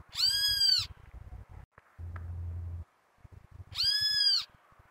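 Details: Great kiskadee giving two loud, harsh, arched notes rich in harmonics, about three seconds apart, with low rumbling and thudding noise between them.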